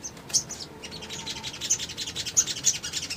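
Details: Male little spiderhunter singing to draw other birds into responding, a fast string of thin high chips and ticks, roughly three per second, growing busier toward the end.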